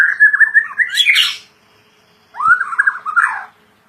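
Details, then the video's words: Caged white-rumped shama (murai batu) in full song: a warbled phrase wavering low then climbing into a bright high flourish, a short pause, then another rich looping phrase; indoor setting, no other sounds. "Murai Batu Gacor"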